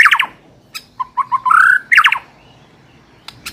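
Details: White-rumped shama (murai batu) song used as a training lure for a bird ready for contest: sharp high chirps, then a rising whistled run of notes climbing to a bright slurred phrase, followed by quick falling chips and a quiet pause.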